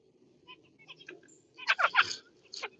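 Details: Kept zebra finch calling: soft scattered chirps build into a quick run of three loud, nasal, harmonic notes, then one more call after a short pause.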